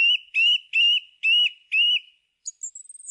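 A thrush repeats one clear, slightly rising whistled note five times, about two per second, then adds a thin, very high note.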